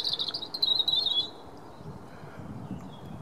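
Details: Robin singing on 9 March 2017: a quick run of thin, high twittering notes lasting just over a second, then quiet with a low background rumble.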